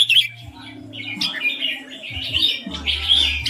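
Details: Clear, pleasant ring song of a caged red-whiskered bulbul: separated warbled whistles, some slurred up and down, with gaps between phrases and a steady low hum in the background.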